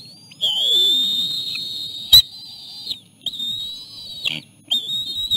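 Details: Osprey at a nest where a male feeds chicks a small fish before the female takes over; long, loud, even whistled notes, held for over a second and then repeated in shorter bursts, with brief clicks between.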